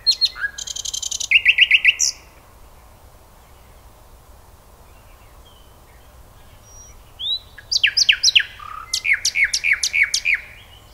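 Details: Common nightingale singing: a burst of whistles and a run of rapidly repeated sharp notes, a pause of several seconds, then a second phrase of high whistles ending in a fast series of repeated strokes.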